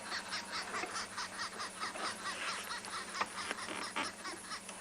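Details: Arrow-marked Babblers, a group calling together at sunset in spring on Tswalu Kalahari Reserve, South Africa, 17 August, give harsh, rasping, cackling notes in a fast, uneven run of a little over two per second, merging into raucous chatter.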